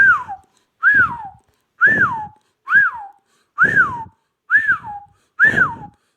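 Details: Ringneck parrot producing a clear whistled phrase that arches up and then slides downward. It repeats seven times at roughly one-second intervals, with soft breathy rustles under each note in a small indoor space.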